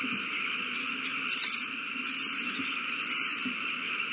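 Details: Young owls fed at the nest on March 27, 2020, giving bursts of high, rapid, warbling chitters in uneven clusters, some louder and harsher, over a steady low hum.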